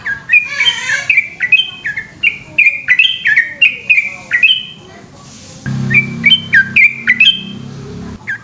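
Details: Yellow-vented bulbul in full 'gacor ropel panjang' song at night. Sweet bubbling whistles repeat rapidly, then pause briefly. A steady low droning sound joins in the second half as the whistling resumes.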